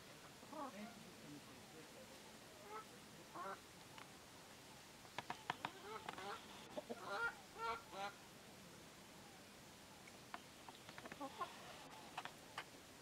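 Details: Domestic-type African goose calling: a series of short, harsh honks in scattered bursts, some in quick pairs and triplets, with quiet gaps and a faint background between calls.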